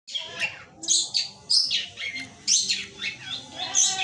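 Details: Caged long-tailed shrike, kept by songbird hobbyists, singing 'gereja petir' material: loud, harsh, scratchy chattering notes mixed with sharp high whistles, in bursts about every half second to one second, with faint low background sounds.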